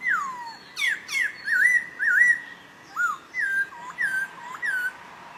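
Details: Papuan poksay recorded in Nabire, Papua, on 26 December 2021, a bird said to have about five song variations: clear whistled phrases with bends and up-down wiggles, given in short bursts every half second or so, with a hiss behind.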